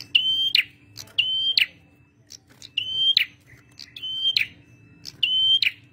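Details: Male prinia, a bird in full song, sings five phrases about a second apart. Each is a bright steady whistle that ends in a short buzzy, scratchy flourish. A faint steady low hum runs underneath.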